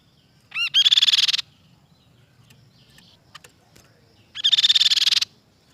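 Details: Silver-eared mesia singing: two loud, bright bursts of rapid repeated notes, each lasting under a second, separated by a quiet gap of about three seconds with faint ticks and low rumble.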